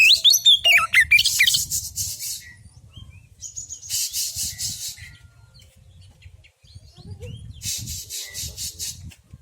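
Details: Male white-breasted Oriental magpie-robin opening with a loud swooping whistled phrase, then harsh buzzy rasps in separated bursts that grow fainter, over a low steady background rumble.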